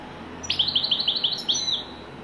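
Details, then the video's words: Widani-style European goldfinch song: a burst of about a dozen rapid, bright, bouncing notes, each chirp rising and falling, ending in a brief slurred tail, with faint hum beneath. "تغريد حسون ويداني"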